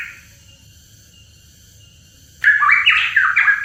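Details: Hooded pitohui song used as a lure for cage birds: after two seconds of near silence, a burst of loud, rich whistled notes stepping up and down in quick succession.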